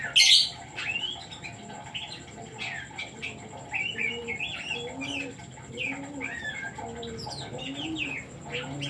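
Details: Oriental magpie-robin singing, used as a decoy to stir other birds into song: a lively run of short whistled and chirped phrases, with soft doves cooing low in the background and a steady high electronic whine.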